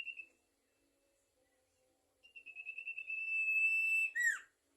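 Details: Lively song of a Sumatran leafbird: a brief high whistle at the start, silence, then a sustained pure whistled note with rapid pulsing that grows louder and finishes with a sharp descending slur.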